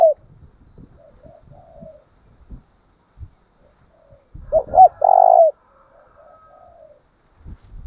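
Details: Caged decoy spotted dove giving the deep 'tieng chim' coo used to rouse and train newly caught doves: soft murmurs, then two short throaty notes and a long, buzzy, vibrating coo, with faint tapping.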